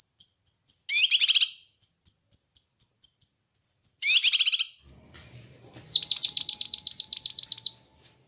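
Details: Kinoi bird master and lure recording for training birds: a series of thin, high whistled notes repeated about twice a second, broken by buzzy trill bursts, then a long, even run of rapid rising notes.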